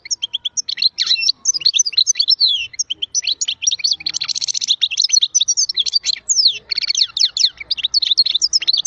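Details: European goldfinch in full, sustained song, a dense stream of high twittering, chattering notes and brief buzzy trills, delivered rapidly with hardly a pause.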